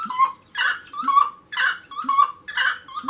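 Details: Rhythmic wood rail song of raspy, cackling bursts paired with tonal mid-pitched whistles, about one pair per second, loud and dominant with a quiet background.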